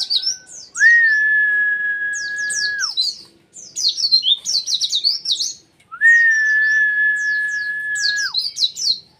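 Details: A white-eye in loud, full competition-style song used as a tutor recording sings rapid, high, scratchy twitters, broken twice by a long steady whistled tone.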